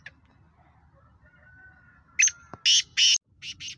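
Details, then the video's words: After a quiet stretch with a faint low whistle, a black francolin (kala teetar, speeder-voiced sheedi cross) delivers a sharp lead note and four loud, grating, buzzy bursts. The last two bursts are softer. "Black Franclion Voice Speeder Kala Teetar Gangas Sheedi cross Nasal Chakri Wala Teetar"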